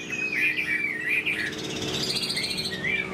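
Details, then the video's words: A tame, caged Chinese hwamei with a yellow bill sings at midday: a loud, rich run of slurred whistles and rapid warbled phrases, rising and falling continuously, over a faint background hum. "Chim thuần sách lồng hót"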